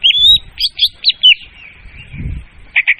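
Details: Clear, loud leafbird lure sound for trapping birds: a long rising whistle, then quick chirpy notes, a sustained thin tone, and a final burst of chatter, over soft low background noise.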